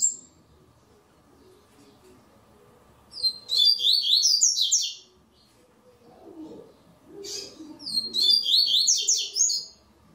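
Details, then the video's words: Double-collared seedeater in the third stage of a web song tournament. It delivers two quick, high, jumbled phrases about five seconds apart. Softer low murmuring sounds fall between them. "TORNEIO VÍDEO WEB COLEIRO ON-LINE"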